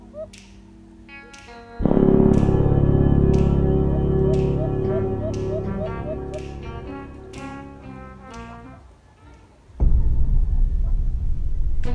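Music with instruments and thumping percussion plays throughout, and no animal sound is heard.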